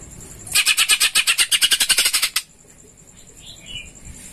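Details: Cucak ijo (greater green leafbird) used as a singing prompt, voicing sparrow-like sounds: a buzzy, rapid rattle of evenly spaced harsh notes for about two seconds, followed by faint, softer twittering.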